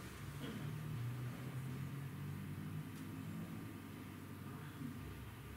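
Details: Quiet room hum with a low, muffled murmur and faint hiss, and no animal calls.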